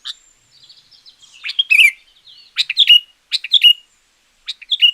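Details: Sooty-headed bulbul used as a lure or tutor: soft twittering leads into several loud, bubbly, down-slurred phrases repeated at roughly one-second gaps.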